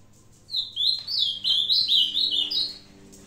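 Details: An old kept ultramarine grosbeak singing on 22 May 2022: a brisk burst of sweet, slurred whistles, several quick up-and-down notes strung into one bright phrase lasting under three seconds over a faint low hum.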